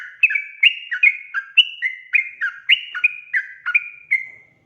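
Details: Sooty-headed bulbul in lively song, a lure to prompt wild birds to sing: rapid chains of clear whistled notes stepping up and down, roughly three per second, ending on a drawn-out fading whistle.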